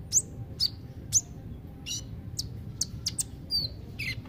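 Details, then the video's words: Kolibri ninja sunbird giving high, thin, sharp chirps and short whistled notes, spaced irregularly about once a second, over a low steady background hum. "Terapi kolibri ninja (konin ) yg males bunyi"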